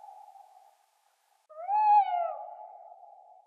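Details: Tawny Owl giving a sustained, steady mid-pitched hoot, broken by a short pause, then a louder swelling note that rises slightly and falls away into a long wavering tail.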